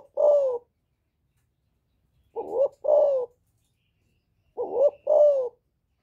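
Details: Spotted dove cooing in the 'giọng thổ' voice style to provoke wild rival males: three short phrases about two seconds apart, each a low, husky, wavering coo, the later two doubled into paired notes, in a quiet setting.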